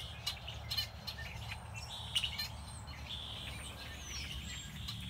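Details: Wild songbirds calling at Beddis Beach, Salt Spring, in February: sharp high chirps and short whistled slurs in quick bursts, with a few descending notes, over soft low background noise.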